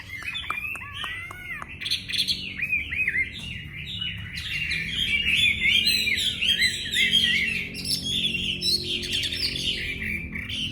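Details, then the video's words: Wambi song opening with a few steep whistled down-slurs, then building into a loud, dense run of twittering, chattering phrases that fills the rest of the recording, with low background rumble. "Wambi / whamey"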